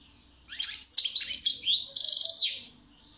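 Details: European goldfinch delivering a lively twittering song with quick sliding whistles and chips, finishing in a rasping buzzy trill, in a quiet setting.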